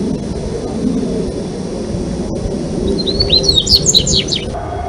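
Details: Dubois's seedeater from Brazil delivering a brief phrase of high, quick chirped and slurred notes near the end, following several seconds of only low rumbling background noise.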